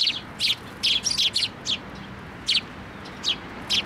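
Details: Group of sparrows gathering at a post to get food at a Tenmangu shrine, 26 May 2024. Loud, insistent chirping comes in bursts of two or three quick notes, with regular pauses between bursts.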